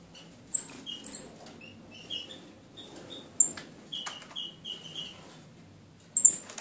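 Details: Two caged female red-eared parrotfinches, almost tame, indoors: a scattered series of piercing high seeps mixed with softer short whistled notes, some in quick runs of three or four, plus faint fluttering.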